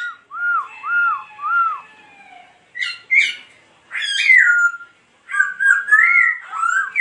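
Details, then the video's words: A laughingthrush dances and sings rich, varied phrases: three clear looping whistles open, then sharp chattering notes and fast warbled runs, rising and falling. "Khướu Muá Hót"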